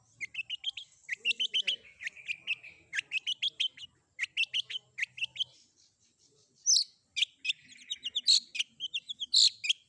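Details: Long-tailed shrike combination fill-in song used to prompt other shrikes to reply: rapid chattering runs of short chirps, then a pause and brighter, louder whistled and clicking notes mixed with slurred phrases.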